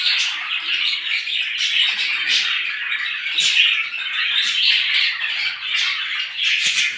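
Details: Small birds in the morning keep up a lively, overlapping chirping, a dense high chatter rising and falling in loudness with sharp notes every second or so.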